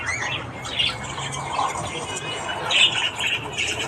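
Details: Morning budgie chatter, Australian parakeets giving busy scratchy warbles with louder squeaky notes at the start and again near the end.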